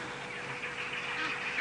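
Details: Egyptian geese (Alopochen aegyptiaca) scattering at sunset in a South African game reserve while young bull elephants chase them, giving harsh, breathy honks and hisses that run into a continuous raspy chorus over a steady background hum.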